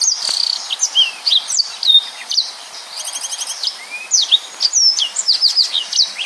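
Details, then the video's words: Rapid 'nembak' singing from a yellow-fronted canary, a tutoring song for other birds: tight run of sharp whistled slurs, a fast buzzy trill near the middle, then more down-slurred notes and chirps without a break. "Burung Mozambik Gacor||Suara Nembak Full Rapet"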